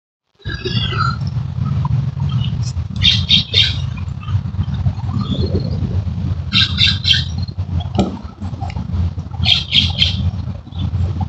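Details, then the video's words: Barn owl chicks about five to six weeks old, wings forming and shedding white fluff, filmed up close at night: loud rasping hiss bursts come in groups of two or three, over steady low rumbling handling noise. "Barn Owl Babies - about 5-6 weeks old"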